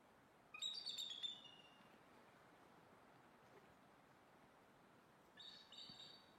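An eagle gives two bursts of thin, high, rapid chittering notes, the first lasting under a second and the second coming about four seconds later. Faint background hiss throughout.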